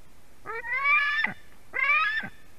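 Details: White-tailed eagle chick screaming at its mother's fish delivery, Durbe, Latvia, 31 August 2020: two wailing, rising calls, each about half a second long, with a pause between.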